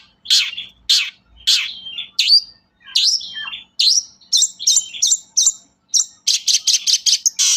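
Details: Long-tailed shrike in full song, used to spur reluctant shrikes into singing: slurred buzzy notes that speed up into a rapid, even series of short, sharp chips, ending in a harsh rasp.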